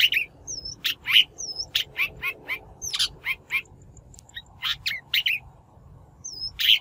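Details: Shrike voice used as a lure for trapping and for training newly caught birds: scattered harsh, clipped notes alternating with thin whistled upslurs and downslurs, unevenly spaced, ending on a loud rasping note.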